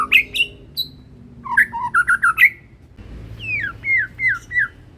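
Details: Medan white-rumped shama, a ringed young bird, in full loud song. It gives short bursts of sharp whistled notes, a pause, then a run of descending slurred whistles over a low background rumble.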